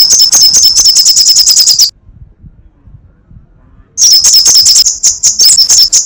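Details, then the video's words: Sunbird (kolibri sogok ontong, srigati) delivering crecetan chatter: dense, high-pitched rattling ticks for about two seconds, a two-second silence, then the rapid shrill chattering resumes. "Masteran Suara crecetan burung kolibri sogok ontong /srigati gacor"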